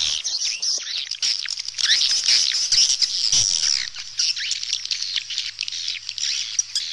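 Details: A crowd of swallows twitters and squeaks continuously, sharp descending chirps repeating irregularly over a faint low hum.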